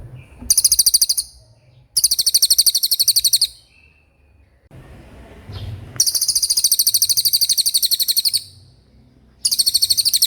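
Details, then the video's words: Common iora giving 'gacor roll speed' song in repeated bouts: high, fast, buzzy trills of one to two seconds, broken by quiet spells with some low background rumble. "Suara Cililin Gacor Roll speed"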